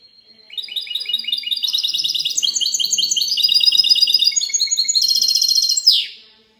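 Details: Mule of the goldfinch singing clean song, dated 19 March 2020: a loud, unbroken stream of fast twittering notes, stepping through varied rising phrases, closing with a dense rattle and a falling buzz.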